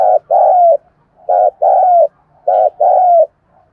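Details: Three closely spaced phrases of spotted dove cooing ('thúc gù'): each a brief low hoot leading into a drawn-out coo that slides gently downward, repeated about every 1.2 seconds.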